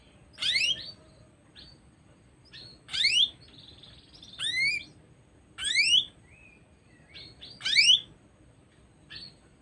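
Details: Female canary chirping: five loud, sharp sweeping notes, each a quick bright rising-and-falling flourish, spaced about every two to two and a half seconds, with softer short peeps between them in a quiet room.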